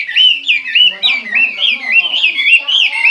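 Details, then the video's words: Chinese hwamei in full voice, a rapid run of loud looping whistled notes, warbling up and down in a steady flowing stream. "chim hoa mi hot"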